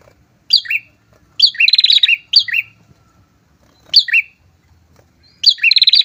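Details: A pair of prinias sing in high, chattering bursts with sharp notes and rapid ticking trills, repeated every second or so; nothing else is heard.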